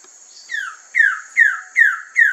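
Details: Wilson's bird-of-paradise on Waigeo, July 2024, gives five loud, downslurred notes, one about every 0.4 seconds, each dropping sharply in pitch, over a steady high insect drone.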